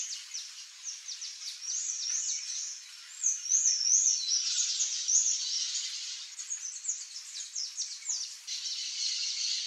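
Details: Sayaca tanager (Thraupis sayaca), song.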